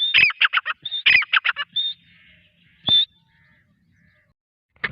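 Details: Grey francolin (teetar) calling in short bursts: high whistled notes each followed by quick harsh rasping notes, a lone loud whistle near three seconds, then near silence in a quiet setting.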